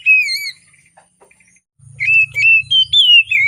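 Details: Oriental magpie-robin morning song, a lure for birds that are reluctant to sing: one drawn-out falling whistle, a short silence, then several clear whistled notes over a low buzzing rumble.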